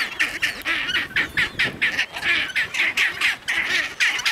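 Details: Chinstrap penguins fighting in the Antarctic give harsh, braying squawks in rapid bursts, about ten in four seconds, with other colony calls blending in the background; chicks are mentioned nearby.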